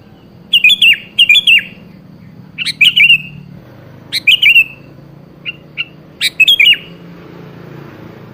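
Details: Sooty-headed bulbul singing as a lure for a rarely vocal bird; paired bubbly phrases at first, then single chirped phrases and a couple of soft isolated notes, spaced about a second apart.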